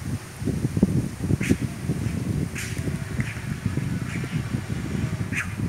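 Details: In a town square, red-rumped caciques give a string of short, clipped calls around their hanging tree nests, about five or six in a few seconds, over constant low outdoor rumble.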